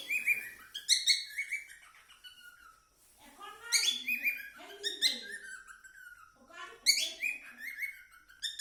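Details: Cockatiel singing: bursts of bright whistled and chattering notes, some rising and falling sweeps, with quieter throaty warbles between phrases, repeated in short runs every couple of seconds.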